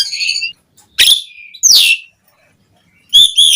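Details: Jalak suren, Asian pied starling, in powerful varied song meant to tutor caged starlings: separate high harmonic whistles and harsh bursts, a downslurred squeal, spaced by brief silences.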